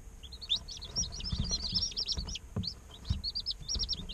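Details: Day-old domestic chicks chirping in a dense, overlapping chorus of high, short peeping notes, many sliding down in pitch, several birds calling at once with barely a pause; faint low rumble and soft thumps underneath.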